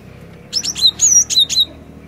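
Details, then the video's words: A cinereous tit sings a lively phrase of about six high, piercing whistled notes, some sliding downward, within roughly one second, over a faint low hum; meant to spur a silent bird into song. "Burung Glatik Batu Gacor"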